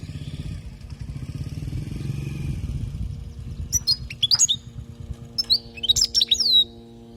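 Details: European goldfinch, a Palestinian bird, recorded as a teaching song for young birds. A loud engine rumble fills the first half, then clipped, sweeping high twitters come in two quick bursts.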